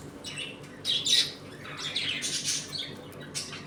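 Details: Budgerigar colony at home, feeding and at play, with busy warbling chatter and scratchy squawks from several birds blending into a continuous twittering stream.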